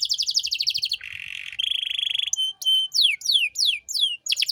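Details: Singing canary, a master recording for tutoring young cage birds: a quick high trill, a buzzy rattle, a steady whistled tone, then a series of clear downward-sweeping whistles.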